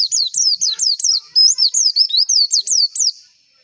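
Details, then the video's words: Lure song of a white-eye, meant to stir competition birds into singing: a steady run of thin, high, down-slurred chirps, around fourteen in quick succession with one longer level whistle midway, then fading out. "PANCINGAN PLECI AGAR CEPET BUKA PARUH"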